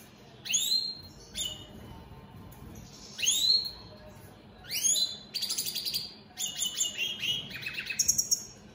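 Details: Caged opal split satinette European goldfinches singing: rising whistled notes and sweeping slurs alternate with rapid buzzy trills and twittering phrases, separated by short pauses.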